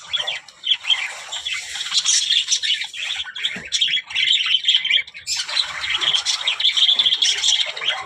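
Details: Several budgies chattering and talking in a busy, unbroken stream of raspy warbles, squeaks and clicks, high and bright, with a short dip near the fifth second before the chatter resumes.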